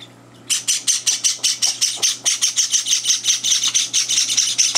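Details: Hand-fed Java sparrow chicks, third day at their new home, begging for food: after a brief pause a loud, insistent run of harsh high chirps starts and speeds up into an almost continuous buzzing chatter.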